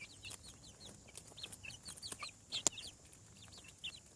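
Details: Chickens hatching from eggs on a farm, with soft, fairly faint high peeps scattered throughout, several chicks overlapping, over a steady hiss and occasional sharp clicks.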